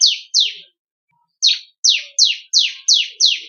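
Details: Bar-winged prinia, known locally as ciblek kristal, in one of four song variants meant for training cage songbirds: two sharp falling chirps, a pause, then a run of six evenly spaced downslurred high notes.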